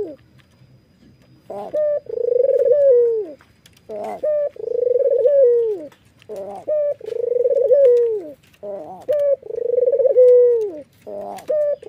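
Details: White red-eyed Barbary dove nodding and laughing in a steady series, about five phrases over twelve seconds, each a short clear introductory note then a pulsed rolling coo ending in a falling glide.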